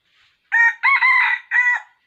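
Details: Red junglefowl rooster crowing at a trap with a decoy cock, 6 January 2021, its crow resembling a young cockerel's. A three-part crow: a brief first note, a long steady middle and a shorter ending, clear against silence.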